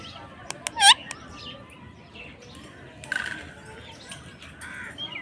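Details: A parrot gives one short, loud squawk that hooks downward, with sharp clicks and faint chirps nearby in an otherwise quiet setting.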